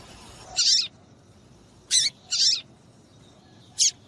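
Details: Calls of a female double-collared seedeater, played to get male papa-capim singing for tournaments; four high, rasping chirps, two grouped close together mid-clip.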